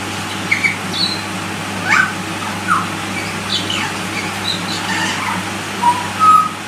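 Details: A young butcherbird, just out of the nest and begging from its parents two weeks earlier, gives short, scattered squeaky begging notes at irregular intervals, with a steady mechanical hum underneath throughout.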